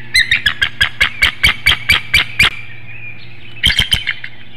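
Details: Incubating female bald eagle at a nest in Hanover, Pennsylvania, calling for her mate to take over the nest at 6:44 a.m. on a chilly March 19, 2019 morning: a rapid run of about ten sharp, high piping notes, a pause, then two more.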